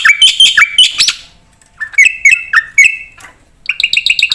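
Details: Energetic black-winged myna song rich in fill-in phrases: short clear whistles that slide up and down, separated by brief gaps, ending in a quick string of bright piping notes.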